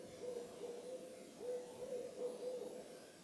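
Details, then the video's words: At moonrise on Carpenter Mountain, H.J. Andrews Forest, Oregon, USA, an owl gives strings of short, mellow hoots on one pitch, several in quick succession, a brief pause, then another run. "Owl Calling at Moonrise"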